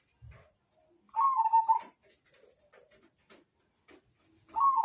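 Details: Majapahit zebra dove song: a rolling, beaded coo phrase dropping slightly after its opening note, followed by scattered soft taps and a second phrase starting at the end. The setting is quiet.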